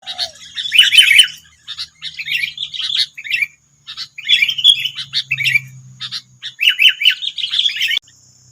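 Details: Sooty-headed bulbuls, wild birds in West Lampung, Indonesia, answering a single decoy bird: dense bursts of bright, sharp chirps and scratchy warbled notes in overlapping flurries, with short pauses between bouts and a faint low hum beneath.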